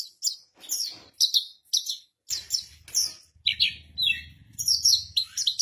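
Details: Caged Javan bush lark singing while perched calmly on a stone, in a long, continuous rolling song. Bursts of bright, high chirps and trills arrive about twice a second with short gaps, over a faint low hum.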